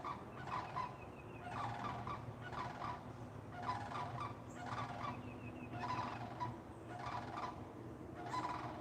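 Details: Sandhill crane giving loud rolling, trumpeting rattles in short bursts about a second apart, somewhat distant over a steady low hum, heard from a home in Florida; described as horn-like when close.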